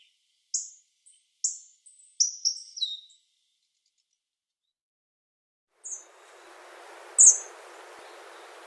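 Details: Hawfinch, Japan: a handful of high, thin, descending call notes early on, a pause of silence, then one faint and one sharp note against a soft rushing background.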